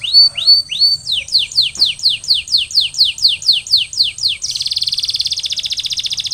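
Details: Canary song after the molt: a few rising whistles, then a long regular series of falling notes about every quarter second, closing with a fast, even, buzzing roll.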